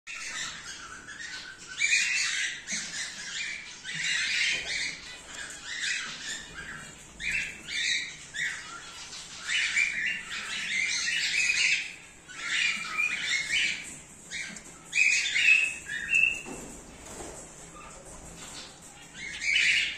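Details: A breeding colony of cockatiels, cream face ino and normal grey, keeps up busy, overlapping chirps and harsh squawks during the 2024/2025 season.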